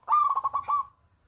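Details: Local zebra dove with a big voice, used as a lure to get reluctant doves singing: one short phrase of rapid, rolling coo notes, about five beats quickly run together, ending in a brief fading tail.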